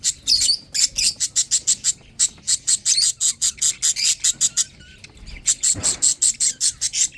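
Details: Lovebird chicks while eating and drinking give harsh, buzzy high chirps in quick rhythmic bursts, several a second, pausing briefly twice, with a soft low thump between calls.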